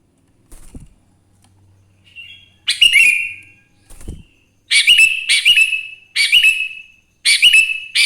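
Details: Sooty-headed bulbul in lively morning song, used to encourage other bulbuls to sing: after a soft thump and a quiet note, loud chirpy whistled phrases come in quick runs, each ending in a downward slur, with short pauses between.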